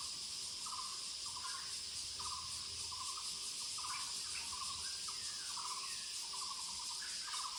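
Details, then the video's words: Short, low, knocking pulsed bursts from a Muller's barbet in woodland, repeated regularly, set against a loud, constant high-pitched insect drone. "Sounds of Muller's Barbet /五色鳥 in the woods"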